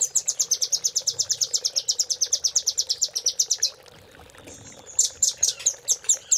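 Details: Velvet-fronted nuthatch master song for training caged birds: a long rapid trill of high sharp notes for nearly four seconds, a short pause, then a slower burst of loud chips.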